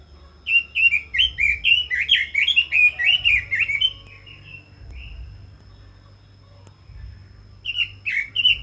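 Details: Red-billed leiothrix delivering a long flowing phrase of about fifteen quick warbled whistles, softening toward the end, then near silence for a few seconds before the song resumes loudly.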